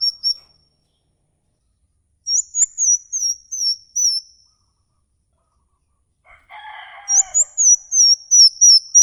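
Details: Bird giving a 'ngikik' call, from a lure for songbirds: runs of sharp, high, slurred chirps, a pause with a faint rustle, then another quick run of similar chirps.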